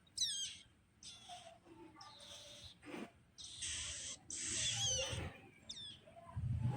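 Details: Hand-fed Bar-winged prinia nestlings begging: bursts of shrill, high-pitched squeaky calls, some short and downslurred, others in longer noisy clusters, with short gaps between them, plus soft rustling and handling noise.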